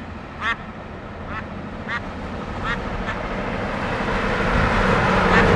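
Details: Snow goose at Châteauguay, Quebec, Canada, recorded on 14 September 2011: nasal, harmonic honks spaced roughly half a second to a second apart, set against broad rushing noise that swells louder toward the end.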